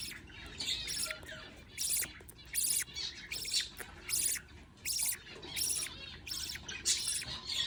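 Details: Baby budgies being fed by their parent give rapid, scratchy, high chirps in pulsing bursts, roughly one burst per second and fairly regular, over a faint low hum.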